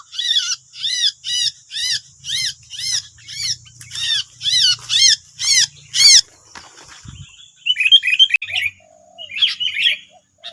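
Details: Nine wild sooty-headed bulbuls facing a decoy bird in West Lampung, Indonesia; a rapid series of about a dozen harsh, arched, ringing notes roughly every half second, then scattered softer chirps and twittering after a pause.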